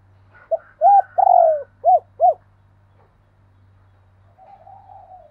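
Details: Spotted dove phrase of short note, flat coo, long falling coo and two arched coos, then after a pause a softer answering coo from its partner, paired cooing.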